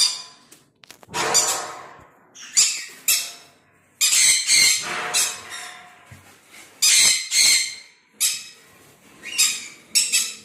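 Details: A breeding pair of Sun conures in an aviary setup give harsh, piercing screeches in irregular bursts every second or two, with rasping squawks between them.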